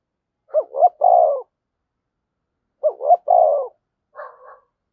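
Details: Spotted dove used as a decoy, giving calling coos in the 'thổ sấm' voice style to lure wild doves: two loud phrases of two short rising coos and a drawn-out falling coo, about two seconds apart, then a softer note.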